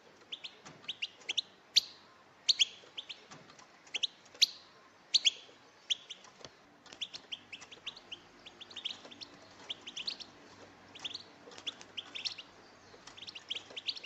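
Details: European goldfinch females, several birds calling together to stimulate males to sing: high, sharp chirps and short twittering bursts, scattered irregularly at first, then overlapping more densely toward the end.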